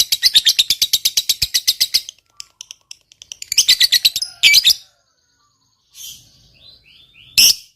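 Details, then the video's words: A fighter-type lovebird, in a recording meant to prompt silent lovebirds to sing. A two-second burst of fast, shrill chattering, then scattered notes, another chatter burst, and loud harsh squawks with brief descending squeaks between them. "Suara Burung Lovebird Ngekek Panjang"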